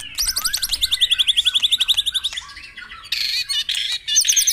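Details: White-rumped shama song from a morning dew session, meant to stir caged birds into singing: a fast, even run of high trilled notes, about four a second, then bursts of buzzy, scratchy phrases and sharp high chips.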